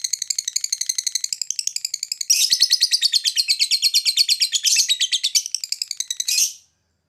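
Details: Lovebird giving a long ngekek chatter, used as a lure to make other birds answer: a continuous rapid series of harsh, buzzy notes, about three per second, rising in intensity midway before stopping abruptly.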